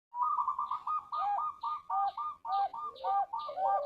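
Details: Male zebra dove of the Bangkok line, kept on a breeding farm in Bantul Regency, Indonesia, singing a quick run of short, bubbling coos that overlap one another, about two per second, with no other sounds.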